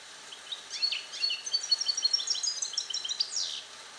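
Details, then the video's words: Caged European goldfinch, captive-born 2021, song-trained in Neapolitan passata style: continuous fast liquid twittering with repeated chirps several per second, ending in a buzzy downward sweep, over a constant faint hiss. "Cardellino Passata Napoletana 2021 - KH24 - European Goldfinch - Jilguero cate limpio"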